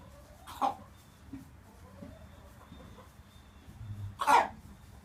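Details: A three-year-old buff Brahma hen, free-ranging in a mixed flock, lets out two abrupt, rough bark-like coughs about four seconds apart, with soft low rustling between them.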